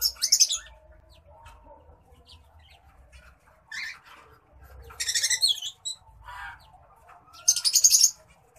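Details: White-headed munia in courtship, uttering three separate bursts of high, buzzy rapid-fire notes spaced a few seconds apart, with soft chirps between them and a faint low rumble.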